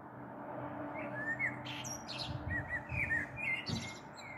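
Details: Evening song of a common blackbird on 21 April 2022, taped from a balcony before a possible storm; short fluted phrases start after a second, with high twittering flourishes and a low traffic-like rumble underneath.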